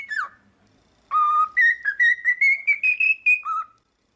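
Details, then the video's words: Pet cockatiel whistling: one falling note, a pause, then a low held whistle followed by a steady ladder of short notes rising in pitch and a final lower note. "Training Cockatiel to singing"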